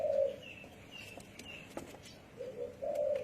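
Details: Spotted dove: a rich low coo opens and closes the passage, while between them a small bird repeats a thin, high chirp three times.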